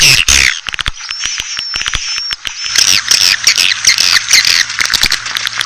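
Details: Calling sound for attracting Asian swiftlets: a thin, steady whistled tone threads through scattered clicks before a long stretch of busy, scratchy twittering and chirping.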